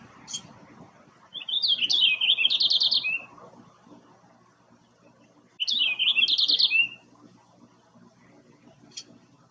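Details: In a backyard in Quebec, a male purple finch, newly arrived with a female, sings two rich, rapid warbled phrases, each about a second and a half long, with a faint low hum in the background.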